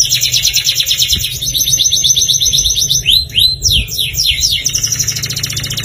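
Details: Atlantic canary song played to get caged canaries singing: fast high rattling trills held steadily, broken midway by a quick cascade of descending swept notes, over a constant low hum.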